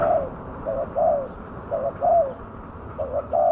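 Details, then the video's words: Spotted dove calling as a lure for wild doves, with short mellow coos in uneven groups, some clipped and some drawn-out and slightly falling, over a faint steady background hiss. "pikat burung tekukur suara ganas"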